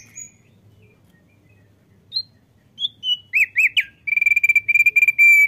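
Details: Frequently singing male Thick-billed White-eye starts with a few sparse single whistles, then builds into looping whistled phrases and ends in a rapid, steady burst of bright chirping notes.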